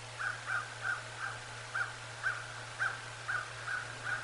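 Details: Bald eagle visiting the nest on an autumn afternoon, 22 November 2022, giving a series of short, high, piping chirps roughly every half second over a steady low hum.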